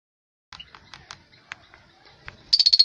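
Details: African lovebirds give faint, scattered soft chirps, then a sudden burst of five rapid, shrill, high-pitched chips in quick succession at the very end.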